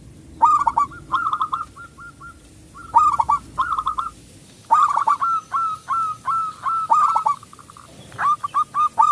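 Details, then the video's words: Local zebra dove, loud and used to provoke quiet doves into singing, sings repeated phrases of hooked whistles, some ending in trailing separate notes, with a long run of evenly spaced notes in the middle. "perkutut lokal gacor suara besar pancingan super ampuh"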